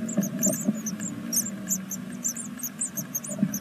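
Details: Sixth-day great tit nestlings from a second brood in a nest at Veszprém, Hungary, squeak almost without pause. The very high, short, arched notes overlap in a dense chorus, with low rumbling and a few knocks inside the nest box.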